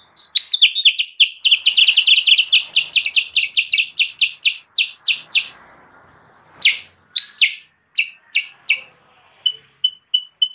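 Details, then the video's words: Sooty-headed bulbul song, used to lure wild birds. A dense burst of rapid, bright chirps slows into spaced, sharp notes, pauses, then resumes with scattered chirps and a few short thin whistles. "suara burung kutilang sutra gacor!!! pancingan dan pemikat burung kutilang sutra liar"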